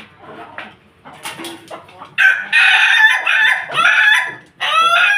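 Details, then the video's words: Ayam Ketawa chicken among a family of Pelung Bangkok chickens. Soft clucking and murmurs open, then a loud, choppy crow of rapid stuttering bursts, cut briefly before a final bright syllable. "Ayam ketawa bersama keluarga ayam pelung Bangkok"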